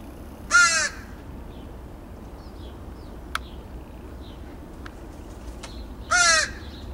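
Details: Two crows visiting a backyard in Edmonton, Alberta, Canada, 28 August 2012, one going grey: two loud, hoarse single caws about five and a half seconds apart, with faint clicks and low steady background noise between them.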